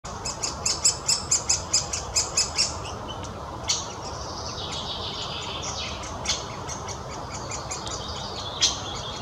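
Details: Great spotted woodpecker young being fed in Kazan, Tatarstan, on 12 June 2017 beg with about a dozen sharp, high ticking notes in quick succession, then a continuous scratchy, high-pitched chatter.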